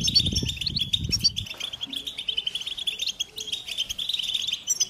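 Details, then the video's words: An American goldfinch delivers a steady run of high, sweet, twittering notes and little chirps, with a low background rumble in the opening second and a half. "The Joyful Songs of Goldfinches"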